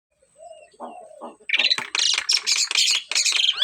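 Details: Javan myna in full, active song: a few soft, low, nasal notes, then loud harsh chattering bursts repeated about twice a second.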